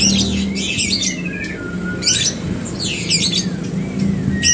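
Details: White-rumped shama song used as a lure to prompt another bird to sing. Harsh squawking bursts alternate with thin, gliding whistles that slide downward, repeating about every two seconds over a steady low hum.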